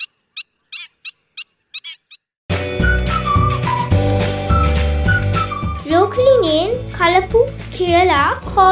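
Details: Black-winged stilt in Sri Lanka, a noisy colonial wetland wader calling loudly especially when alarmed in breeding season, gives seven sharp, yelping notes about three per second, then music takes over.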